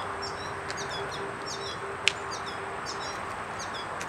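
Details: Yellow finch feeding its young: clusters of short, high, sharp chirps come in bursts, with a single loud click midway and a constant low tone and hiss behind.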